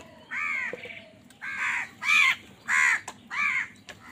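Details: Loud crow cawing during a fight for food, a steady run of five harsh, nasal caws roughly every half second to second, each slightly arched in pitch.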